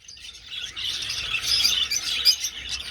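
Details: Budgerigars flying through an old aviary, a flock giving dense, overlapping high chirps and twittering warbles that swell in loudness over the seconds.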